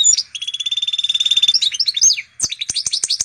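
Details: Canary and Portuguese goldfinch hybrid in full song: a long, steady, rapid trill of high notes lasting over a second, followed by varied twittering and sharp clicks.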